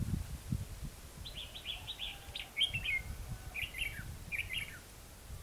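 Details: Lure Red-whiskered bulbul giving competitive song during trapping in Hòa Mạc, Hà Nam, Vietnam: a rapid series of choppy chirping notes followed by two shorter warbled phrases, with rustling low noise underneath.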